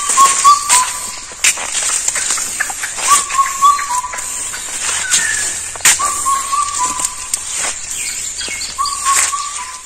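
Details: Indian cuckoo (Cuculus micropterus) calling in repeated short whistled phrases of several notes, spaced a few seconds apart. Loud clicks, knocks and a steady high hiss partly mask the calls.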